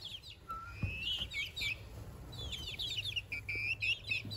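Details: Two-month-old Lemon Millefleur Sablepoot bantam chicks, almost fully feathered, in a garden. Busy, overlapping high peeps and short twittering chirps come several per second, some whistled and level, others quick and downslurred.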